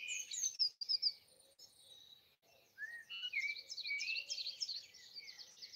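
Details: Easter Sunday 2020 early-morning birds in trees at a house in Broadford, Kildare, Ireland; quick high notes, a short pause, then a falling whistle leading into a fast run of rising and dipping twitters.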